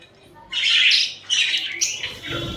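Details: Pet budgerigars cuddling and fighting: two loud, harsh, raspy squawks in quick succession, then a rougher grating note and a low thump at the end.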